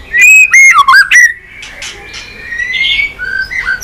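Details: Stimulating song of a white-rumped shama for pet shamas: loud clipped whistles swooping down and back up, followed by a long faint steady whistle and soft warbling notes in the background.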